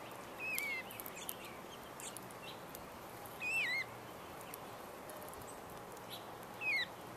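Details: Rose-breasted Grosbeaks, several males, jostling with each other at feeders stocked with sunflower seed, suet and grape jelly; three clear, downslurred high notes spaced about three seconds apart, with faint ticks and background hiss.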